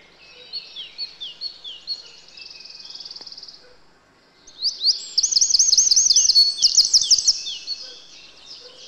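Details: Eurasian wren wintering in a yard alongside great tits, robins and sparrows until spring: loud, high, rapid bursts of notes and fast rattling trills, a short pause between the first phrase and a longer, louder second one.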